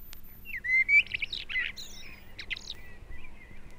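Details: Common blackbird, a northern bird, singing in British woodland in February on a 1971 recording: a short fluting phrase that rises then ends in high, scratchy twittering notes, with faint background hiss.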